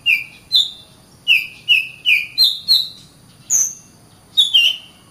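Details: Song of an Oriental magpie-robin, used for tutoring other birds: loud, pure whistled notes in short bursts, alternating between a lower steady tone and slightly higher slurred notes, with brief gaps.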